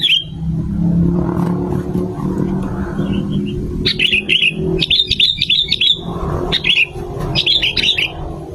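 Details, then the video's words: Sooty-headed bulbul, male and female, used as a lure for trapping. A single whistle opens, then rapid clusters of liquid, bouncing notes come in several bursts. A continuous low hum and rumble sit in the background. "SUARA BURUNG KUTILANG GACOR 2025"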